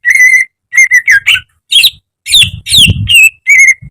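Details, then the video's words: Cucak ijo, the greater green leafbird, recorded as training for caged birds: long, steady whistled notes and downward-slurred whistles, with a low thumping rumble under the middle phrases. "Masteran cucak ijo agar cepat rajin bunyi~gacor setiap hari"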